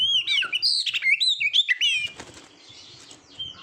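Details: Oriental magpie-robin training recording for competition birds: two seconds of fast, bright whistled and chirped song phrases, then the singing stops and soft hissing rustle fills the rest, with one faint whistle near the end.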